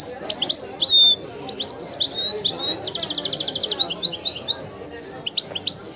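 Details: Goldfinch singing in the Algerian 'wiidani' style, a bird named Messi: bright twittering phrases and slurred whistles leading into a fast buzzy trill, followed by quick chirps and a few scattered notes.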